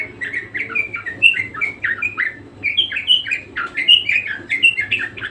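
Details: Budgerigar (Melopsittacus undulatus), a parakeet in lively, persistent full song: a continuous chattering warble of short squeaky, rising and falling chirps packed closely together, with a steady low hum underneath.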